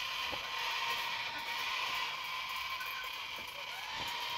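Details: Sulphur-crested cockatoo chicks screaming for breakfast, a harsh, unbroken, rasping screech and loud hissing wail that runs steadily through the whole stretch.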